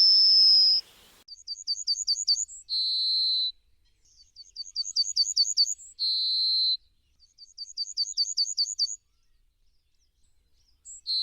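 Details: Yellowhammer singing three phrases, each a fast run of six or seven high, clipped notes followed by one long, lower drawn-out note; an isolated long whistle opens the recording, otherwise a quiet background.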